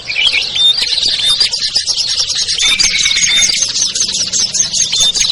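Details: Lure mix for small birds that are hard to bring down: dense high chattering with scattered thin whistled notes and a short drawn-out trill, continuous and noisy.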